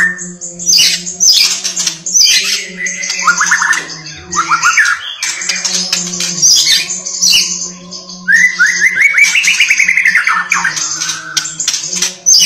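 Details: White-rumped shama in vigorous, insistent song: bursts of rapid rising whistled notes and loud scratchy chatter, with short pauses between phrases and a constant low hum underneath.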